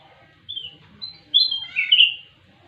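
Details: Sooty-headed bulbul (kutilang emas), described as a frequent, lively singer: a few short high whistled notes, then a brighter rising and falling chirped phrase, all within under two seconds, with quiet low background noise.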